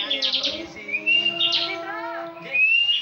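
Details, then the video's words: Bar-winged prinia, a competition bird said to sing continuously and often win national contests, giving a dense run of high chirps and sharp twittering notes with a few steady whistled tones rising near the end. "Ciblek ngebren full"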